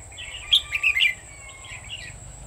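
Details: Red-whiskered Bulbul used in trapping with a decoy bird, 1 October 2019: one bright, rapid warbled phrase of sharp whistled notes, then softer trailing chirps, against a quiet low hum.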